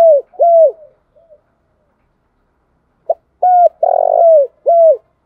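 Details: Spotted dove used as a lure bird for trapping, singing loud cooing phrases: a short note, a long hooked coo, a buzzy rolling coo and a final arched coo, repeated after a pause with softer coos between.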